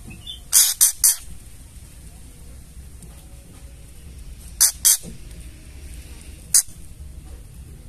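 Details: Scratchy ketrekan bursts from a female white-rumped shama, meant to provoke males into song: a triple rasp, a pair, then a single rasp, spaced by several seconds over faint background hiss.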